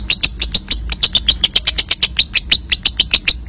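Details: Lovebird giving a long ngekek trill used as a lure to stimulate other birds for singing contests: a fast run of sharp, high chattering notes, about six per second, sustained without a break.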